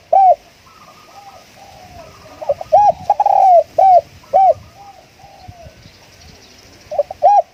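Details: Spotted dove kept as a decoy, giving loud, rounded coos in spaced groups; quieter, higher, trilling dove notes fill the pauses.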